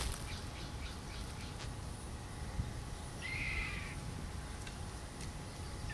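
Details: Red-tailed hawks, a parent pair with young, circling overhead above an owl nesting ground. One short, hoarse, downslurred screech partway through, against a low background rumble.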